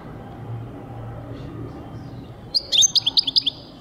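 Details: A European goldfinch sings in 2023. After a stretch of low hum, a quick run of bright, tinkling chirps and twitters comes in at the end.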